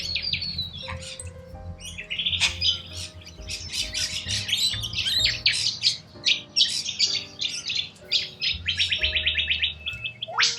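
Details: Wild corella cockatoos in Australia screeching loudly in a flock, many harsh broad squawks and rapid rasping series piling up over ten seconds, with faint music notes underneath.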